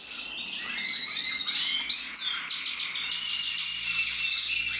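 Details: Red mosaic agate canary, a captive-bred male, recorded 1 November 2024: a continuous high, fluid warbling song with fast trills and rapid descending sweeps, over a steady low background hum.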